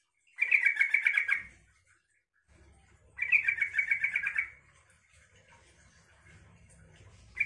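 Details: A yellow-vented bulbul calling as a lure to make other bulbuls answer gives two bursts of rapid, bubbly chirps, each about a second long, with a faint low hum between them.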